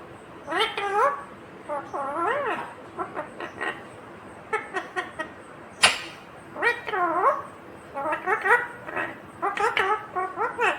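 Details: Green ringneck parrot talking, repeating "mummy papa": series of harmonic, arching mimicked syllables in irregular bursts over ten seconds, with a sharp click near the middle and faint background hum.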